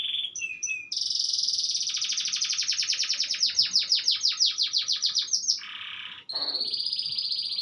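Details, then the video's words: Afternoon canary song that opens with brief whistled notes, moves into a long rolling trill that speeds and pulses, then breaks into a buzzy burst and a steady high whistle. "kicauan kenari af di sore hari"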